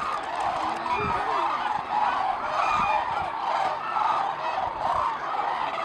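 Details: Flock of hooded cranes circling and climbing over Izumi, Japan, on 10 February 2013 at the start of their northward migration; overlapping calls form a dense, continuous chorus throughout, with a rumble of wind or traffic beneath.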